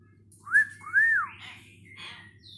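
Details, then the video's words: Hill myna kept as a pet while learning words, giving two clear whistled notes that each rise and fall in an arch, followed by softer rasping and fainter whistled sounds, over a low steady hum. "Burung beo belajar kosakata"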